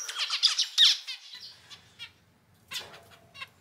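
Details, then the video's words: Pet male zebra finch, one of a household's colour varieties (normal, pied, penguin, fawn, black-cheek pied), singing indoors: a quick burst of harsh, buzzy, stacked notes in the first second, then sparse quieter chirps and a late nasal call. "キンカチョウのさえずり・鳴き声 集めました②｜個性的なオス達 かわいい鳥 Cute Zebra Finch Songs 🎵 sing sounds calls"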